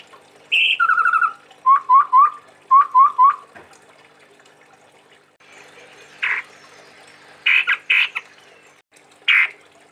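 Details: Chestnut-rumped babbler from Sumatra, a kept songbird: a high whistle then a quick descending trill, two sets of three short rising upslurred notes, then after a pause scattered harsh chattering bursts.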